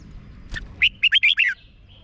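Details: Red-whiskered bulbul song recorded in Thailand for exciting caged birds: a single click, then one lively phrase of five quick, warbled whistles and a thin trailing note.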